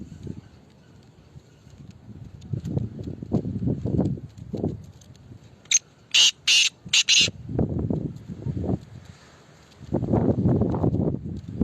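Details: Black francolin (kala teetar) calling: a short burst of four loud, harsh, grating notes near the middle, with low murmuring voices and rustling before and after.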